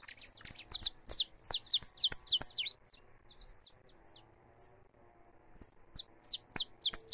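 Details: Live recording of a saffron finch singing free: a rapid string of bright, high, falling chirps, a softer stretch of sparse notes, then another quick volley of loud chirps to finish.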